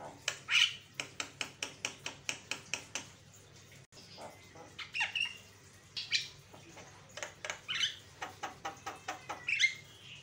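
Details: Javan myna lure sound, said to provoke other mynas into reacting: a fast run of about a dozen harsh, evenly spaced clicking notes, then a pause, then a varied mix of squawks and short high whistles.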